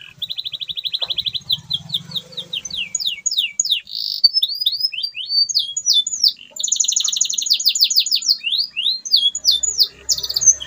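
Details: Canary in full lively song, meant to stimulate mute canaries to sing again: rapid high trills, strings of steeply descending sweeps and quick buzzy phrases run together without pause for over ten seconds.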